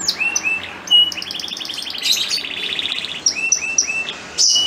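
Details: Breeding male canary singing to prompt a female in breeding condition to mate: scattered short whistled notes, a buzzy rapid trill in the middle, then spaced rising chirps and a final high burst.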